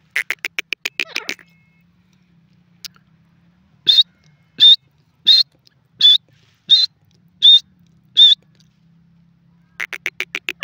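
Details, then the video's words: Francolin calling: seven loud, high, clipped notes spaced about three-quarters of a second apart, bracketed by rapid trains of short repeated notes at the start and end, with a low steady hum underneath. "teetar ki awaz from africa to india"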